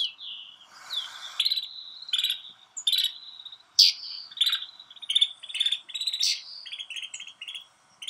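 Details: Snow bunting recorded at Kananaskis, Alberta, Canada: a run of short buzzy and chirping notes around the upper-middle range, some rising whistles, delivered in quick irregular bursts with brief pauses between.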